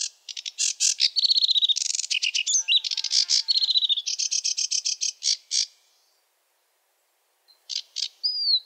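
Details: Wetland sedge warbler delivering its varied, never-repeating song: fast buzzy chatter and harsh rattles interspersed with pure whistled notes, a two-second silence, then a few more notes and a rising whistle.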